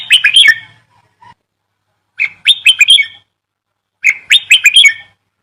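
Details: Unidentified bird song of three bursts about two seconds apart, each a quick run of bright, sharp chirps and short descending notes, with clean silence between the phrases.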